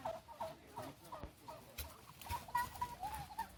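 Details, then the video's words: Turkeys showing off at Fort Edmonton Park, Edmonton, giving short, mid-pitched clucking notes in quick, uneven succession, roughly four per second, with faint background noise. "Turkeys producing funny sounds at Fort Edmonton Park"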